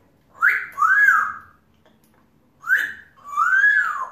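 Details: Pet African grey parrot, a male, chattering alone: two pairs of loud whistles, each a short rising note followed by a longer arched, slightly buzzy whistle that falls away, separated by a brief pause.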